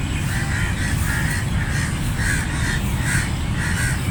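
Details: Flock of crows cawing, harsh nasal caws repeated in quick pairs and singles, roughly two per second, over a loud, steady low rumble that dominates the background.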